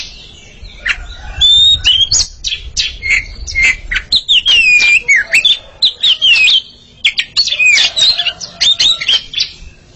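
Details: Pair of Oriental magpie-robins in a singing contest, delivering a long, varied stream of whistles, downward slides and rapid chirps with only brief breaks.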